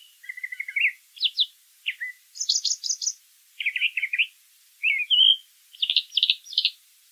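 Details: Brown thrasher singing outdoors: crisp phrases of rapidly repeated notes, often doubled or tripled, alternating with a short whistled slur, each phrase separated by a brief pause.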